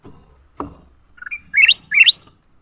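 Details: Leafbirds fighting: a short thud, then a quick run of notes building into two loud, harsh chirps that sweep sharply upward, each burst about a quarter second long.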